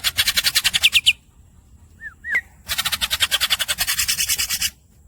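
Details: Greater green leafbird giving long rolls: a rapid buzzy rattle of evenly pulsed notes, a pause with two short falling whistles, then another extended harsh rolling trill.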